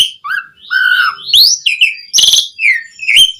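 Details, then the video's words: Javan pied starling in full, energetic song used to prompt other starlings to sing. It gives a chain of clear slurred whistles, rising and falling, broken by a harsh buzzy rasp and sharp chips. "Suara Kicau Jalak Suren Gacor Mompa buat Pancingan OCEHAN semua Burung Jalak Agar Gacor Full Isian"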